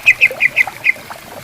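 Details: Greater green leafbirds answering each other in bamboo forest beside a clear, gently flowing river: five short, bright, slurred chip notes in quick succession, then a softer note and a brief pause, over a faint murmur of water.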